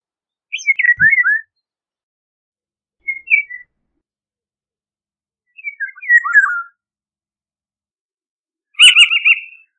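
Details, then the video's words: Golden oriole alternating mellow, fluty whistled phrases with pauses of a second or two, ending with a harsher, nasal, buzzy note. The background is quiet. "Golden Oriole Song, Call, Chirp, Sound, Vocalization - Oropéndola Europea Canto - Oriolus Oriolus"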